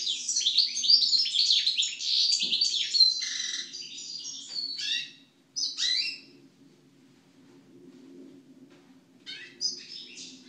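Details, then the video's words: Song of a European goldfinch (Carduelis carduelis) after moult: an energetic opening run of rapid tinkling twitters and trills, breaking into a few separate chirpy phrases, then a quiet stretch with faint low hum and a last short burst. "European Goldfinch (Carduelis Carduelis) after moult song."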